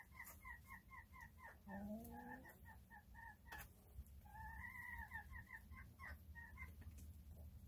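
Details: Small chickens going about their day, giving quick, evenly spaced clucks with a short rising trill near the start and a longer drawn-out, slightly arching note midway, over a low steady hum.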